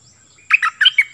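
A cream-vented bulbul gives a quick, bright phrase of four bubbling notes in under a second, followed by the start of another. No other sounds intrude.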